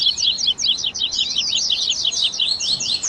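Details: Captive double-collared seedeater warm-up song: an unbroken stream of quick, sharp, high chirps and slurred trills, packed closely throughout.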